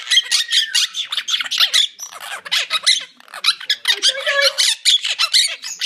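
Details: Squeaky, rapid chatter from two caged monk parakeets. Bright chirps and scratchy notes come in clusters, broken by a brief softer stretch and a low warbled note.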